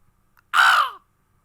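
A crow gives a single harsh, hoarse caw lasting about half a second and falling slightly at the end. Otherwise quiet.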